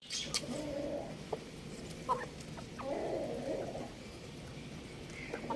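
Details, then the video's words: Young rooster playing on a roof, giving two drawn-out, flat, tonal calls with a buzzy harmonic edge, each about a second long, separated by a short pause over a steady background hiss. "Adorable Young Rooster Chirping Sounds"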